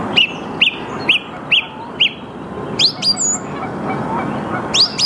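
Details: Song thrush at 08:10 on 8 March 2022, Saarn-Mendener Ruhraue, Mülheim an der Ruhr, in the early morning, Canon EOS R5: one sharp whistled note repeated five times about every half second, then upward-sweeping notes and more repeats.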